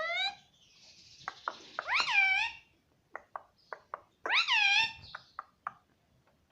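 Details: Talking Indian ringneck parakeet saying 'mummy' in a small room: a loud strained word, a hissy rasp, then two arched squawky syllables separated by a run of sharp, evenly spaced clicks.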